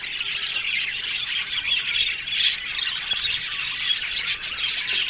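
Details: Australian budgerigars in an aviary colony squawking and chirping together, a steady, dense mix of harsh squawks and bright twitters.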